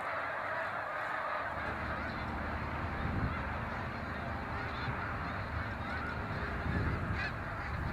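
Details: Wild snow geese in Canada returning to the water for the night, a site safe from land predators such as coyote and red fox; a continuous dense murmur of many honking birds, with low rumbling noise underneath.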